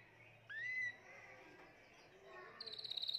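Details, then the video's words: Timbrado canary, the seventh of the keeper's birds, recorded in 2020: one clear rising whistled note, a quiet pause, then a fast, high, pulsed trill that starts near the end. "تغريد طائر التيمبرادو"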